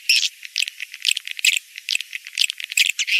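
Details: Swiftlet mating call used as a rainy-season breeding lure: rattling bursts of dry, buzzy clicks in irregular clusters, several per second, with short quiet gaps between.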